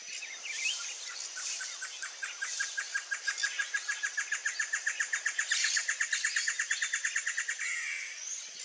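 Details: Blue-crowned trogon (Trogon curucui) call: a long run of short, mid-pitched notes that quickens to about six per second, over a hiss of insects and other high chirps.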